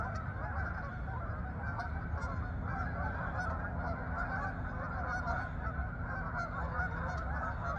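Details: A flock of geese flying and marching to the fields over meadows in Farmington, Connecticut, giving a dense, unbroken chorus of overlapping nasal honks, with a steady low rumble beneath.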